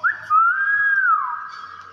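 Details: A single sustained whistle from a common hill myna rises slightly, holds level for about a second, then slides down into a fading echo, with light background noise.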